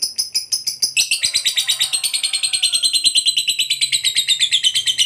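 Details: Ngekek panjang of a lovebird, a long trill meant to draw replies from other lovebirds: spaced sharp notes quicken into a dense, shrill, fast-pulsed chatter that slides slightly downward and keeps going without a break.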